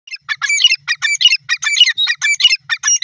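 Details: Grey francolin, called teetar, calling loudly: rapid harsh, ringing multi-part notes repeated in quick rhythmic bursts about every fraction of a second, throughout, with no other clear sounds.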